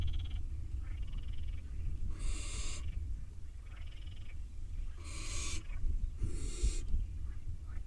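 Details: Barn owl chicks fighting over a mouse before one swallows it. Harsh hissing screeches come in irregular bursts, and quieter wheezy calls sit between them over low background rumble.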